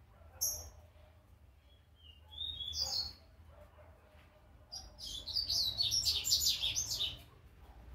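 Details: Brown juvenile double-collared seedeater rehearsing its first notes: a sharp chip, a couple of thin rising whistles, then a sustained burst of fast high scratchy twittering, over faint low hum.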